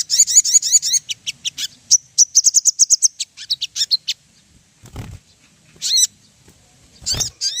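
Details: Ruby-throated bulbul lure song to make birds sing: a quick warbled trill opening, then a string of sharp repeated chirps, a couple of low thumps and short bursts of twittering near the end.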